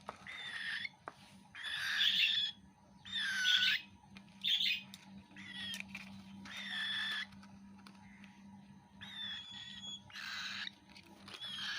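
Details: Cockatiel chick eating food, making repeated harsh wheezy begging squawks in uneven bursts, roughly one per second, over a low steady hum.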